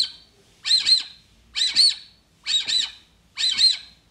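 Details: Brazilian teal played back to lure it nearer: four shrill paired whistles, each two quick rising-falling slurs, spaced just under a second apart over a quiet background.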